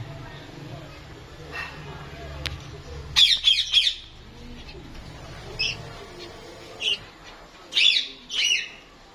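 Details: Lovebirds in Lahore, quiet at first over a low hum, then a cluster of piercing squawks, a few isolated chirps, and two final loud shrill bursts near the end.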